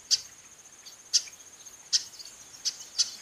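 A female chestnut-capped blackbird gives sharp, high call notes at uneven gaps of about a second. A faint, steady high whine runs underneath.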